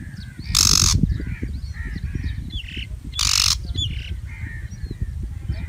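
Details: A pair of loud, raspy shrike calls about three seconds apart, each short and grating. Other small birds chirp and whistle quietly throughout, with low-pitched rumble underneath.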